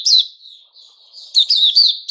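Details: White-rumped shama (puteh raja) giving 'buka' song, 29 August 2021. A loud sharp whistle fades into a quiet, drawn-out thin warble, then a louder burst of quick, slurred high notes.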